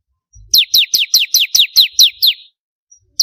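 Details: Bar-winged prinia (ciblek kristal), a master-song variation for training songbirds. One steady phrase of nine high, downward-sliding chirps, followed by a brief silence and a soft thump at the start.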